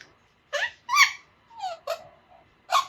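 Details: A two-and-a-half-month-old pet Alexandrine parakeet, learning to talk, babbles in short, speech-like squawks and chatters, five or six raspy syllables over about two seconds, indoors.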